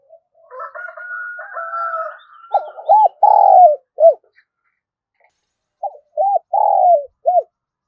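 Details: Spotted dove of the thổ voice style, cooing continuously to stir a decoy bird. A softer wavering whistle comes first, then two phrases of short arched notes, each with a sustained, slightly falling middle coo.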